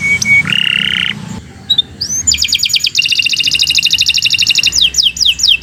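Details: Canary singing as a master recording for other birds: a level whistle, a low buzzy roll, then a long rapid trill of repeated notes ending in loud downslurred whistles.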